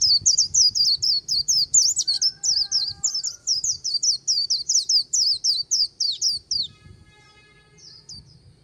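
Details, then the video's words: White-eye singing the warbling 'líu' style on the bank of the Kỳ Cùng River: a rapid, high, twittering run of short slurred notes, about four per second, for six and a half seconds before fading to faint notes, with low rumble beneath. "VÀNH KHUYÊN HÓT LÍU/ 10 PHÚT CHIM VÀNH KHUYÊN LÍU BÊN BỜ SÔNG KỲ CÙNG RẤT HAY/ KÍCH KHUYÊN LÍU CHOÈ"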